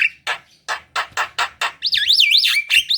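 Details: Black-winged myna in "gacor" form, a lure for lazy kept birds: six loud, harsh, broad rasping notes at a steady beat, followed by a wavering, warbled whistle that rises and falls repeatedly.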